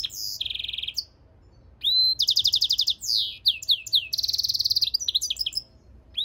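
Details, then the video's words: Hybrid goldfinch-canary singing a lively run of high rattling trills, downward-slurred notes and whistles, with a short pause near the start. "European Goldfinch mule singing - Jilguero Mixto"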